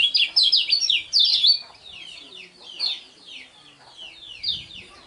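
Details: Lemon-bellied white-eye (kecial kuning), a contest songbird, singing a fast, loud chattering warble of high, sharply sweeping notes in dense bursts, fading to quieter scattered phrases after the first second and a half.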